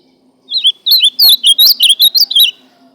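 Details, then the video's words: Ultramarine grosbeak song: a fast, tumbling series of around ten clear whistled notes, each slurred up or down, running for about two seconds with a faint low hum underneath. "Azualão cantando"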